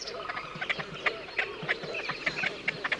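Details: Great crested grebe (Podiceps cristatus) giving harsh, nasal, clicking calls in a rapid run, several each second, with a busy chorus of similar calls behind.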